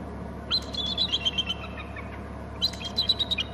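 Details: A pair of bald eagles screeching at their Hornby Island nest territory as a third eagle arrives from inland: two bursts of rapid, high, stuttering piping notes, each slightly falling, separated by a pause, over low background hum.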